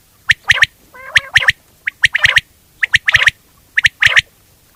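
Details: Quail calling: sharp clicking notes in quick groups of two or three, repeated roughly every second, with one short nasal warbled note partway through.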